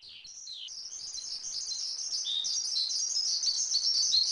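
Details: Javan pied starling song recorded as a master track for training songbirds: a stream of high, thin chirps and downslurred whistles that starts faint and steadily grows louder, with no other sounds.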